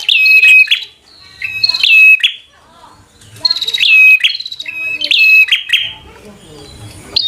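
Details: Bar-winged prinia delivering an aggressive song to draw rivals into a fight: chains of shrill whistled notes and clicks in rapid, uneven bursts, with short pauses and a softer stretch near the end.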